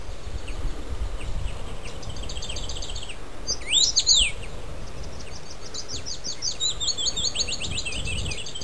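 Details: Male common rosefinch singing beside a road at Öland's northern point, Sweden, 19 May 2006: bright, slurred whistled notes, a louder sweeping phrase mid-way, quick repeated notes after, over steady low wind rumble.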